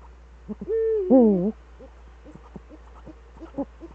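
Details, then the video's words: Eurasian eagle-owls, both back, in the Eifel on an evening in March 2013: a steady harmonic note runs straight into a louder wavering call that slides downward, followed by a string of quiet clicks. "Uhu Eifel 2013-03-11 18:47 beide Uhus wieder da.."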